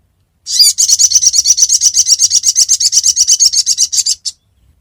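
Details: Sogon calling as a trapping lure: a long, fast, even rattle of high chirps, about thirty notes in under four seconds, ending with one separate note.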